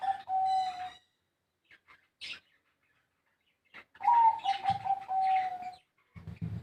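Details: Zebra dove with a small voice, recorded in Bayo, Yala province, giving a rolling, staccato trilled coo in two bouts of one to two seconds, with scattered chirps from other birds and low thumps at the end.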